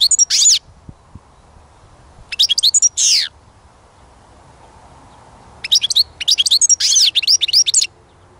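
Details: European goldfinch song: bursts of rapid, tinkling high twitters with quick notes and a harsh buzzy ending, phrases separated by pauses of a few seconds.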